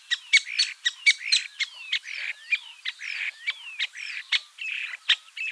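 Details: Common starling singing a busy medley of sharp clicks, short upward whistles and slurred notes, bursts coming in quick irregular succession around one per second.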